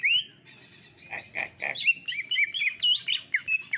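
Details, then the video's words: Home-kept greater green leafbird pouring out a lively song with iora-style phrases: a rising whistle, three buzzy notes, then quick varied whistles and chips. "CUKAK IJO X CIPOH GACOR PARAH"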